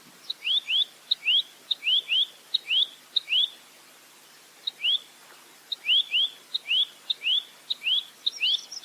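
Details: Velvet-fronted nuthatch (rambatan mandarin), clear cagebird tutor recording in 'roll tembak' style: runs of doubled rising whistles with ticks, a pause of over a second, then the series resumes.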